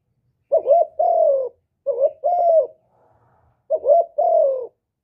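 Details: Spotted dove in hap boi voice, a full song of calling, urging and cooing recorded without background noise; three soft double coos, each a tremulous short note leading into a steady, gradually lowering tone.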